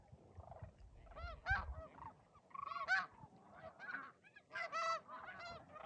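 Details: Overwintering Sandhill Cranes at Whitewater Draw, Arizona, calling during fly-ins in a windy desert wetland: loud, rolling, rattling bugles from several birds overlap in bursts, over a background of low wind noise.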